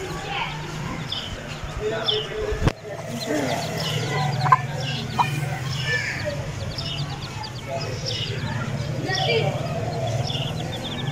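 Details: Aseel chicks giving scattered short high peeps amid a low rumbling hum, with a sharp knock near the start and a few louder chirps in the middle.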